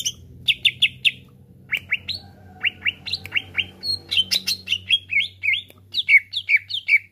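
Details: Greater green leafbird song aimed at provoking other birds to sing: groups of short sharp whistled notes, repeated slurred phrases and varied chips in a lively, uneven rhythm, with a low steady hum beneath.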